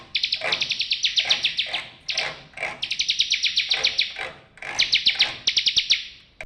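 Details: Bar-winged prinia trilling loudly with long runs of rapid, bright, repeated notes broken by brief pauses, ending in a few clicks. A faint low hum is in the background. Used as therapy for silent birds.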